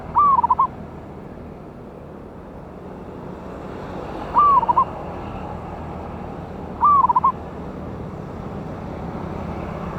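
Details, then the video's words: Local wild zebra dove (perkutut) with a big voice, lure recording from 11/8/24: three phrases spaced several seconds apart, each a drawn note tumbling into three or four quick coos, over a steady noisy background. "PANCINGAN BURUNG PERKUTUT LOKAL ALAM SUARA BESAR"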